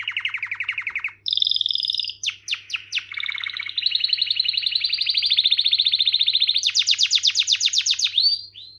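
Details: Canary song made of changing tours: a low rolling trill, higher buzzy phrases, short sharp notes, then a long fast trill rising in pitch near the end.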